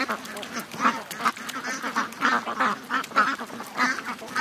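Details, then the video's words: Hundreds of ducks and geese, over 700 in all, hurry to the lake in the morning, giving rapid, overlapping harsh quacks throughout. "To The Lake... 700+ Ducks & Geese Morning Rush"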